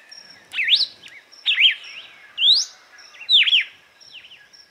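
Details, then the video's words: Paroaria dominicana, the red-cowled cardinal, giving açoite song meant to warm up and train birds: four strong swooping whistled notes about a second apart, dipping low then climbing, with softer chirps trailing off. "GALO DE CAMPINA Canto AÇOITE para ESQUENTAR e TREINAR"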